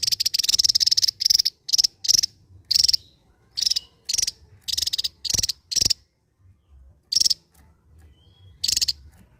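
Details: Javan white-eye from Java in ngebren song: a long opening buzzy rattle, then a string of short grating bursts, thinning out into sparse rattles after a brief pause.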